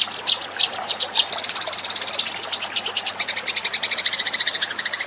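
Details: House sparrow lure call, 'suara pikat burung gereja': rapid series of sharp high chirps, starting sparse then settling into a fast steady train of about three to four notes per second.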